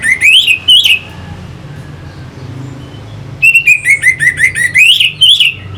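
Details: Song of an orange-headed thrush used to spur fighter birds into action, heard as loud, buzzy, wavering notes, a pause, then a long rapid series of rasping phrases rising near the end.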